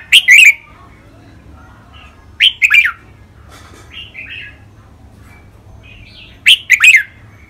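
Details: A caged red-whiskered bulbul kept for song competitions gives a training song of bright, liquid chirping phrases in three short bursts, roughly every three seconds, with a softer phrase between them against a quiet background.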